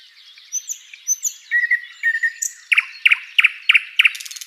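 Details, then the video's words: ['Flycatcher, local name sikatan londo, recorded as a training tutor: soft thin whistles and warbled notes building into loud, sharp chirps repeated roughly three times a second, finishing with a buzzy trill.'] "SIKATAN LONDO || MASTERAN BURUNG"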